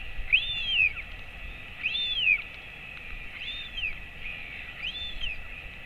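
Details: Feeding time for a royal albatross chick at 217 days old, with the father attending, late morning on 28 August 2024. Bright arched whistles, four in about six seconds, rise then slide down over faint hiss.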